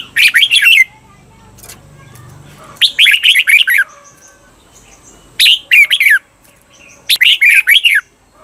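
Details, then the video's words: Caged-bird training recording of red-whiskered bulbul song from Thailand, the doubled 'bermle' style: four lively bursts of quick, slurred whistled notes, each under a second long, separated by short silences, with a soft low hum beneath. "เสียงฝึกเบิ้ล นกกรงหัวจุก เปิดสอนเบิ้ลยาวๆ เบิ้ลได้แน่นอน"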